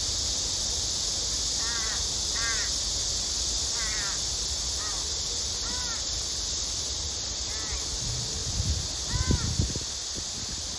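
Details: Crows squabbling over food as a female pleads with the male to feed her; a run of about eight short, hoarse, downslurred caws spread irregularly through the stretch, with low thumps and knocks near the end.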